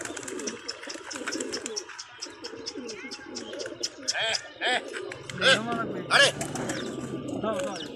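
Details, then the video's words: Pigeons in a pigeon loft, a steady chorus of low, wavering coos rolling on for the first half, then sharper arched calls and rustling from other birds in the loft as the chorus continues. "Pigeons Sound In Pigeon Loft"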